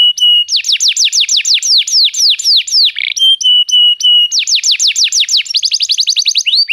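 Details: Canary song meant to make a canary sing: steady whistles alternating with rhythmic series of falling notes, a brief harsh burst, then a fast trill near the end.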